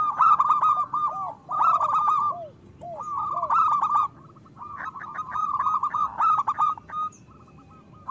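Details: Zebra doves of a local Indonesian strain, used as a singing lure for quiet doves. Dense bursts of fast staccato cooing repeat every couple of seconds, with several birds overlapping and soft separate coos between phrases.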